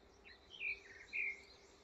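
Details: A Vinous-throated Parrotbill gives two short, high, slightly buzzy chirps about half a second apart while a rat snake raids its nest; faint steady hum and soft hiss behind.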